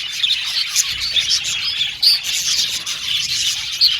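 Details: Blue and violet male budgerigars in an aviary, a dense chirping chorus with distinct sharp tweets popping out roughly every second over the background warble.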